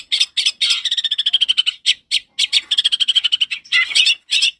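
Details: Long-tailed shrike (cendet) song used as a lure to train young birds, described as loud and clear: rapid harsh chattering notes with bursts of fast repeated trilled phrases, strung into a busy continuous sequence with brief pauses.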